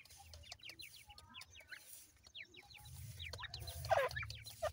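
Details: Several grey francolin chicks peep while they feed: brief, high notes slurring downward in loose runs, with a few louder taps and a low background hum.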